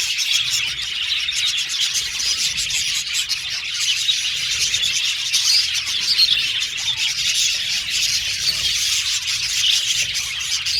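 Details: A colony of budgerigars in an aviary singing and chirping, a steady wall of high, twittering warbles and rapid chirps from many birds at once, with faint low rustling beneath.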